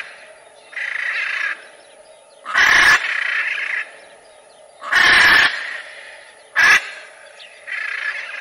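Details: Macaw squawking in a loose series: three loud, rough screeches spaced about two seconds apart, alternating with quieter raspy calls in between.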